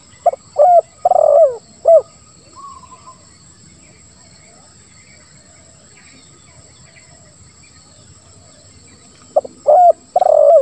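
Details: Spotted dove lure song, 'lambung kuk 1, suara ngeruk' style, to get silent doves calling. A low, burry cooing phrase opens, a long quiet gap with faint chirping follows, and a second phrase begins at the end.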